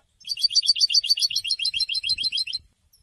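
A goldfinch gives a fast, bright twittering run of about twenty tinkling high notes over two and a half seconds, with a faint low rumble beneath.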